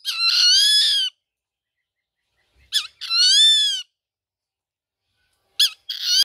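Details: Rufous-winged buzzard calling in a series of loud, harsh, drawn-out mewing screams, each about a second long and preceded by a brief hooked note, spaced roughly two to three seconds apart.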